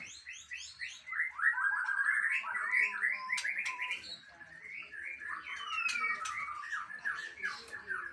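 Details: White-rumped shama from Aceh singing a long, continuous rapid chatter of slurred, mimic-like notes with faint background sound.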